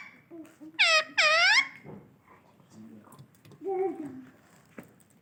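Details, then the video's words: Pet Indian ringneck parrot calling everyone: two loud, harsh, rich squawks in quick succession, followed by quieter shorter calls, with human voices in the background. "Best ringneck Indian parrot calling everyone"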